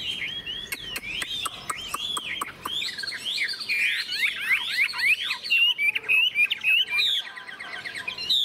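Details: Caged Chinese hwamei (Garrulax canorus) singing in the morning after a fresh-food feed, hung in the sun for about 20–30 minutes: a loud, rich run of varied whistles, slurred rising and falling phrases and quick trills, with early sharp clicks and taps.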